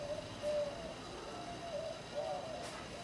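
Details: Pet parakeets cuddling together, giving soft, wavering chirps at a steady pitch, a few short notes spread over three seconds against a constant background hiss.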